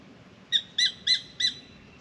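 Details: Spangled drongo scolding a pied currawong from a mango tree in Australia: four evenly spaced, ringing notes over soft background hiss.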